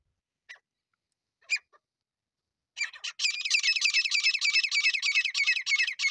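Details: Desi teetar partridge call for hunting in Sindh: a few short, scattered squeaks, then from about three seconds a rapid, continuous run of harsh, scratchy high notes, densely repeated.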